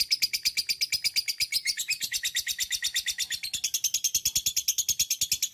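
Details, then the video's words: Lovebird in sustained ngekek panjang, an unbroken, fast chatter of gritty, buzzing notes that shifts slightly in pitch midway and runs on steadily; training recording to coax other lovebirds into long song. "TERAPI LOVEBIRD NGEKEK PANJANG"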